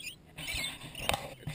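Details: Wild lorikeets feeding at 7 am at a campsite on Lake Maroon, eating marshmallow melted on bread; a brief burst of harsh, raspy, noisy chattering with a sharp crackle near the end, people close by.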